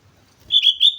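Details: Brief sooty-headed bulbul phrase from Mount Slamet, two or three loud clear whistles running together after a moment of soft low background noise.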